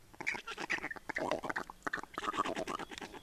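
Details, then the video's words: Black storks at a nest in Estonia during a changeover and feeding, 30 May 2019: a busy series of short, rasping, bill-clattering-like pulses and hoarse squeaky notes, irregular and overlapping throughout. "Estonian Black Storks - Change and feeding"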